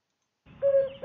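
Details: An African cuckoo song gives a single hollow, even-pitched hoot, with the start of a second note cut off at the end, over a soft low rumble.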